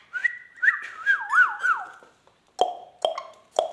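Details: Rose-ringed parakeet whistling a long wavering phrase that loops up and down, followed by three sharp popping notes at even intervals.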